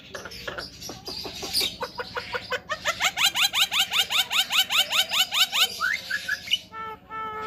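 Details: Javan myna making odd talking sounds: varied squeaky notes, then a rapid run of repeated upward-sweeping whistled notes, about three per second, ending with a few lower harsh chattering notes.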